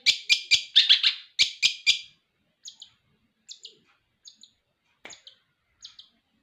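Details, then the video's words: Long-tailed shrike kept in captivity since a nestling: about two seconds of loud raspy chattering notes, then a pause and faint thin high ticks repeated at intervals of under a second. "burung cendet Gacor pelihara dari Anakan"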